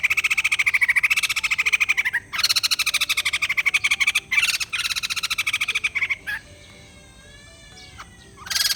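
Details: White-crested laughingthrush: long bursts of rapid, harsh pulsed chatter, fast stuttering notes with a ringing tone, broken by short pauses and ending in a few thin, wavering whistled notes.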